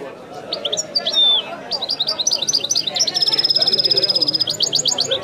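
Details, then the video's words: European goldfinch performing the authentic Wedani song: scattered high notes and a drawn-out whistle, then quick chirps leading into a steady, rattling buzzy trill and a final run of chirps. "chant de chardonneret تغريد الويداني الأصيل"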